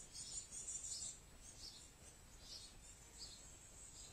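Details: Great tit (Parus major) fledglings, out with their parents but still being fed at a year-round feeder on a heavy-rain day, give thin, high, hissy begging chirps in quick irregular bursts, about three a second, over a soft low rumble.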